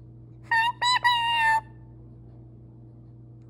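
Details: Pet parrot talking: three clear voiced, tonal word-like sounds in quick succession, the last drawn out and steady, then quiet with a low steady hum behind.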